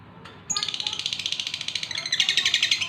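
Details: Male lovebird in breeding condition calling to a female: after a short quiet start, a fast run of high, harsh chirps repeated about six times a second, buzzy and rasping, continuing steadily to the end.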